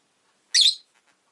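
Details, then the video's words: A single loud, raspy chirp lasting about a quarter second from a pet rosy-faced lovebird, with nothing else audible. "Lovebird Chirping Sounds"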